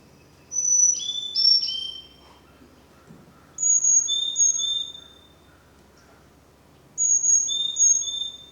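Carolina Chickadee song: three clear whistled phrases a few seconds apart, each four pure notes alternating high and lower, fee-bee-fee-bay, over faint background chirps.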